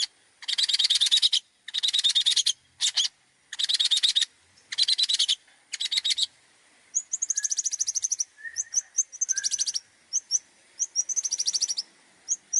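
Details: Long-tailed shrike singing a varied, mimicry-filled song meant for tutoring other birds. Long grating buzzes alternate with pauses, then thin high trills and short sliding whistles follow in quick bursts.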